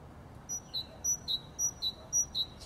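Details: Spring song of a great tit, a simple 'cilp-calp' pattern: a high piercing note followed by a slightly lower slurred one, repeated in quick even pairs against a quiet background.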